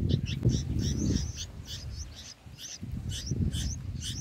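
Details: Six-day-old bulbul chicks in the nest, being fed by adults. They give quick, squeaky high chirps, some doubled, in a steady stream over muffled low rumbling.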